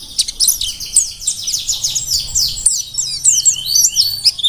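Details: Mountain white-eye, a wild-caught bird from Merapi, singing very actively: a dense, rapid run of high, sweet twittering chirps and short slurred notes with almost no pauses, over faint low background hum.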